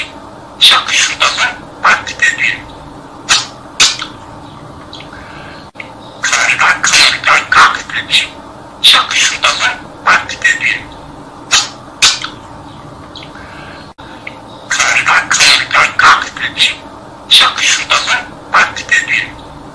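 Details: A pet budgerigar chatters in quick bursts of scratchy, high syllables, mimicking speech as it repeatedly recites the Turkish nursery rhyme "Karga Karga Gak Dedi".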